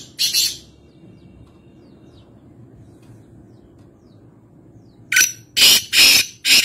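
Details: Calling black francolin (Kaala Teeter) from Nawabshah, Pakistan: a single raspy note opens, then quiet with low background hum, and a full grating phrase of four harsh, buzzy notes closes the recording.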